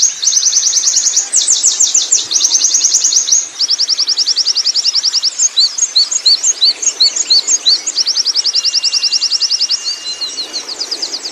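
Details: Rolling ngerol song of a wild Oriental white-eye: long runs of quick, very high, bright notes, shifting from dense trills to spaced, sharper chirps and back again, sustained without a break.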